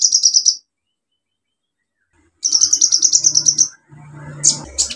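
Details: Olive-backed sunbird singing vigorously, used as a lure to stimulate sunbirds that have stopped singing: a rapid high trill of short notes, a pause, then a longer trill and sharp squeaky notes, with a low hum underneath.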